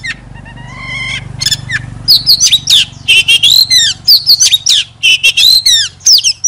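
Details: Oriental magpie-robin singing as a decoy bird: a few soft, stacked whistles, then loud, varied, rapidly delivered whistled phrases and sharp notes, with a steady low hum underneath.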